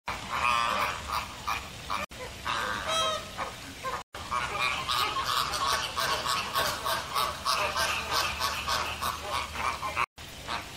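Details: American flamingo, Caribbean flamingo, heard as a dense chorus of overlapping nasal, goose-like honks with a few clear rising notes, running almost without pause apart from brief breaks.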